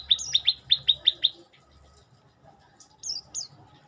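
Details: Song of an olive-backed tailorbird: a rapid series of seven sharp, high chip notes about every fifth of a second, a quiet gap, then two high downslurred whistles; soft low hum underneath.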